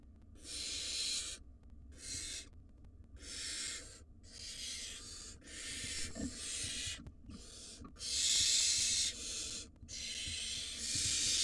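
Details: Wild barn owl nestlings, five in a nest box, calling to their parents with repeated harsh hissing screeches about every two seconds, uneven in length, several chicks overlapping in places.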